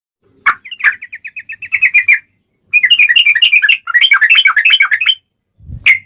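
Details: Sooty-headed bulbul singing in fighting mode, a long rapid 'ropel' style used as a lure to make other bulbuls sing: a steady run of short chirps near one pitch, then dense bubbly chattering bursts, a final sharp note.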